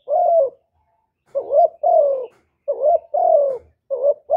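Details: Spotted dove, recorded without background noise for stimulating kept males: deep soft coos, a long falling note, then pairs of wavering short and drawn-out coos repeating steadily.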